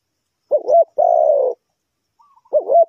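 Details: A spotted dove used as a trapping lure gives a quick wavering double note and a long, low, slightly falling coo. After a pause, another double note begins, with a faint whistle just before it.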